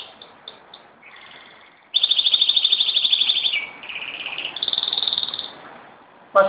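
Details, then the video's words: Canary singing at home in Jeddah, 26 September 2008: scattered high chips and a low tone, then a loud rapid pulsed trill, a lower rolling phrase and another buzzy trill, ending with a sudden knock. "My Canary Showing OFF"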